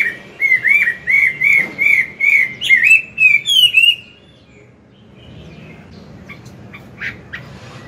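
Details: Chinese hwamei, a mature wild-caught bird singing at morning to train a young one, gives about four seconds of repeated looping whistles rising in pitch, then falls silent with only faint chirps after.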